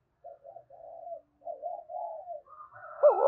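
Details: Spotted dove cooing, used to stimulate other doves to coo: soft, low hooting notes in short broken groups, followed by a louder rolling coo at the end.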